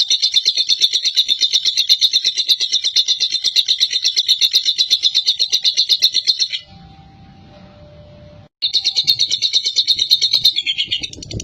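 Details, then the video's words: Champion lovebird in long ngekek, meant to prompt pet lovebirds to chatter: about six seconds of nonstop rapid, shrill chattering, a short pause with a low hum, then the fast high chatter returns. "Love Bird Cerewet Ngekek Panjang"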